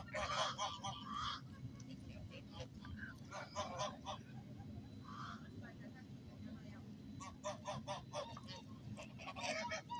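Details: Geese honking in scattered bursts, loud at the start and again near the end, with quieter gaps and a constant low background hum.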